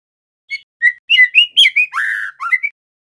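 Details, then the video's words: Juvenile male White-rumped shama, still spotted, practising song. After a short pause come sparse short whistles, then a quicker string of clear, slurred notes, a drawn-out buzzy phrase and two brief whistled notes to finish. The setting is quiet. "Suara murai TROTOL belajar bunyi GACOR"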